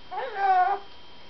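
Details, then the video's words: An excited parrot makes a whimpering, slightly rising then falling harmonic call, building to a loud middle and fading after about seven tenths of a second, little else audible. "one very excited parrot"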